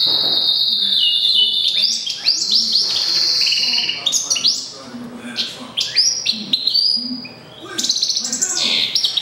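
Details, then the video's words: Caged goldfinch × canary mule, hatched April 2011, singing actively: a long high sustained trill opening into rapid varied twittering phrases, buzzy notes and sharp chips, with quiet room noise behind. "Goldfinch X Canary Mule"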